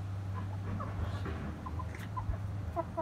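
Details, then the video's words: Hens in a family coop with a rooster and well-grown chicks: soft, short clucks in irregular bursts, with a constant low hum behind. "Amcamın Horozu, Tavukları ve Civcivleri - My Uncle’s Rooster, Hens and Chicks"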